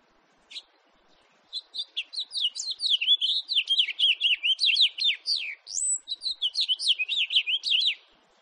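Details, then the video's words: House finch recorded in 2018, giving a long, rapid warble of bright, slurred chirps and rising-falling notes, high-pitched and jumbled, with a buzzy edge near the end. "-ΚΑΡΠΟΝΤΑΚΟΣ- (House Finch"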